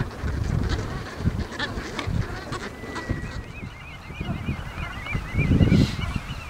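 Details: Geese in a meadow on the island of Ameland: a flock gives wavering, nasal honks in loose bursts, the calls clustering mid-clip, over a steady roar of wind.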